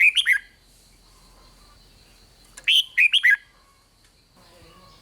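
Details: Red-whiskered bulbul song played to excite other bulbuls, in the Thai 'rik' style: short bright phrases of four or five quick whistled, slurred notes, repeated about every two and a half seconds, with a faint steady high tone behind.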